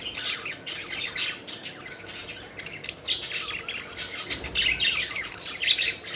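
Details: Pet budgerigars flying and playing, giving busy chirping and squawking in quick, uneven bursts, several birds calling over one another throughout.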